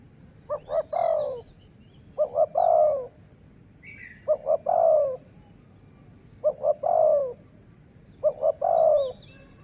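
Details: Dove heard in a decoy-luring session: five regular phrases, each two short low pulses and a long downward coo, spaced about two seconds apart. Brief high chirps from small birds are scattered between them.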